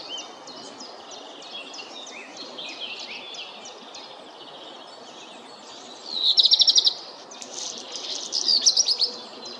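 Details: Black redstart song: quiet, high warbled notes at first, then two loud, scratchy, crackling bursts of rapid clicks close together near the end, over faint background hiss.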